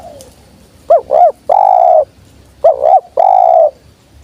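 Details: Wild spotted dove coming down. It gives two low cooing phrases, each made of short, bubbling double notes followed by one long, steady coo, with a pause of about a second between phrases.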